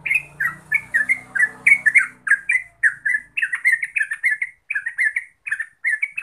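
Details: Yellow-vented Bulbul lure song for prompting continuous singing: a rapid, chattering flow of bubbly, slurred notes, with a low hum underneath during the first two seconds that then fades to a clean background.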